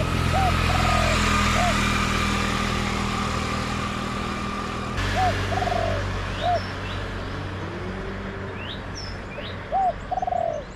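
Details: Spotted dove, a wild bird in a garden answering a decoy, repeats its phrase three times: a brief arched coo, a burred rolling coo, a short closing coo. Steady engine-like rumble and faint high chirps of other birds.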